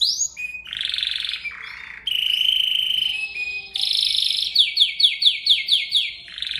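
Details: Canary song played as tutor material for other birds: varied sustained buzzy trills shifting between pitches, then a series of sharp repeated downward-slurred notes about three per second, ending on another trill.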